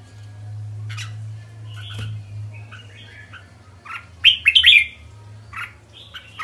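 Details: Red-whiskered bulbul with soft chirps over a steady low hum, then a loud burst of quick whistled notes in the middle, followed by a few quieter phrases.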